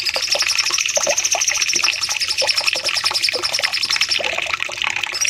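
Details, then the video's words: Bulbul called cucak cungkok, from a masteran training recording for caged birds, in a long 'nembak panjang' phrase. Very fast high trilled notes run steadily for about four seconds among dense clicking chatter, then break up. "Masteran Cucak Cungkok nembak panjang"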